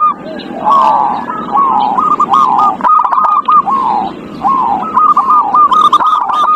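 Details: Zebra dove song meant to draw a quiet dove into singing: an almost unbroken run of rippling, slightly falling cooed notes and trills, with a soft lower cooing layer throughout.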